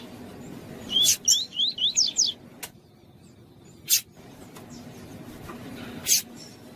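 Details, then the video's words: Female double-collared seedeater calling to excite a male of the tui-tui song type: a quick run of about five rising, slurred whistled notes, bracketed by sharp isolated clicks and taps over a low background hum. "COLEIRO TUÍ-TUÍ FIBRA COM FÊMEA CHAMANDO PARA ESQUENTAR SEU COLEIRO TUI TUI"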